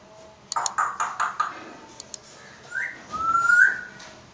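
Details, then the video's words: African grey parrot in Pakistan kept as a pet indoors: a few clicks, then rising whistled notes near the end, with a short low tone and soft room noise. "Parrot talking in urdu | Talking african grey parrot videos"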